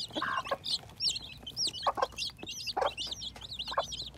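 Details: Newly hatching baby chicks in spring 2021 give a busy stream of high, bent peeps, broken by short lower clucking bursts roughly every second.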